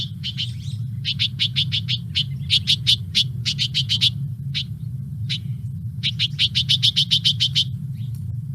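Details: Bewick's wren (Thryomanes bewickii), a wren of oak trees and riparian and woodland hedges with over 20 different calls, gives quick bursts of buzzy, clicking mid-high notes in several rapid repeats over a steady low hum.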